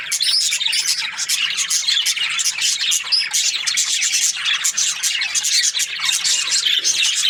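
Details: Morning budgie chirps: rapid, repeated high tweets and chattering notes from many birds at once, steady and loud throughout.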